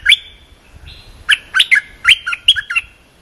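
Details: Song of a cream-vented bulbul, played to teach young birds: scattered sharp chirps, a brief thin whistle, then a tumbling burst of warbling notes.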